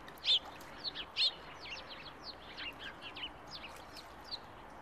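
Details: Ducklings in July calling with a rapid run of sharp, high whistled peeps, loudest in the first second, then a steady stream of softer, downward-slurred chirps.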